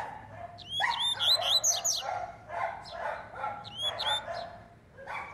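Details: Double-collared seedeater, a black coleiro, warming up: fast, high whistled notes with sharp upward sweeps, given in short bursts, over lower buzzy, harsh broadband sounds that recur throughout.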